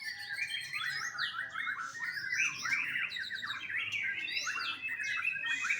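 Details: From a Bali bird farm, a young captive white-rumped shama delivers a continuous warbling stream of slurred whistles and chirps that rise and fall without break.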